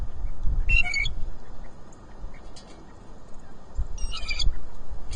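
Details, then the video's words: Blue jay hollering at a farm: two harsh, raspy bursts a few seconds apart, loud against steady low rumbling background noise. "Blue Jay Hollers"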